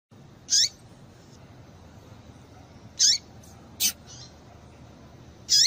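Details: Female double-collared seedeater calling to excite the male: short sharp high chirps, each sweeping steeply downward, given singly about every two and a half seconds over a faint steady hiss.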